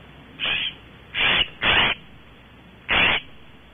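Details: California scrub-jay visiting a branch at Audubon Starr Ranch, California, giving four harsh, raspy squawks, each about a quarter second long, the middle two close together, over quiet background.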